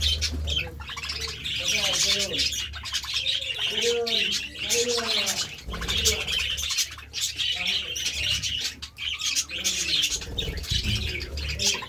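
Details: Budgerigars eating seeds and vegetables, giving dense, continuous high chirping and warbling chatter, with soft, low, rounded cooing notes repeated underneath throughout.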